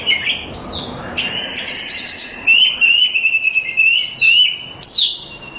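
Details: Champion contest Oriental magpie-robin singing, a long sustained warbling whistle held steady with rapid trills above it, bracketed by sharp falling notes and a final bright rising slur.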